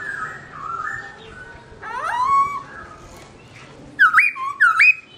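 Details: Melodious song of a black-throated laughingthrush left alone by its owner: wavering whistled phrases, a bright rising slur, then two sharp, emphatic upward-whipping whistles close together.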